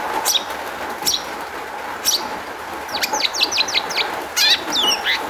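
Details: Long-tailed shrike song meant to provoke other shrikes into singing: a few scattered sharp notes, then a quick run of six downslurred whistles and a rattling trill near the end, steady hum beneath.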